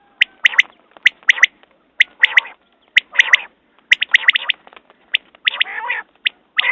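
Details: Quail calling: sharp, clipped triple notes repeated about once a second, mixed with harsher buzzy squawking bursts from other birds.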